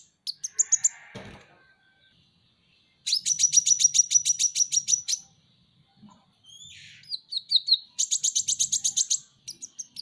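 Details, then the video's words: Van Hasselt's sunbird (kolibri ninja), a kept pet bird, in a busy, chattering song: rapid runs of sharp, very high ticking notes, a brief lower buzzy rasp, thin whistles and repeated fast chip series with short pauses between. "masteran KONIN dacok ngobra ngobra"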